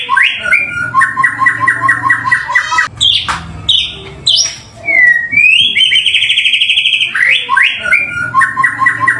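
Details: Lure recording of a white-rumped shama singing to prompt other birds: rapid repeated whistled notes in series, loud rising and falling slurred whistles, sharp high chips and a long sweeping whistle, strong and continuous.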